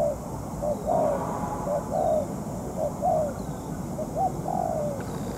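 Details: Decoy spotted dove in moult on the ground, luring a wild rival in a trap set: somewhat fainter low coos in short-long pairs, repeating about every second over steady noise.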